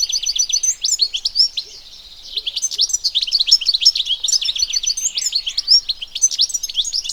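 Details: European goldfinch in the wild, local names Arus al-Turkman and Taqtaq Shawk, delivering an energetic high twittering song of quick chirps and trills, a short quieter gap early on, then continuous sparkling chatter to the end.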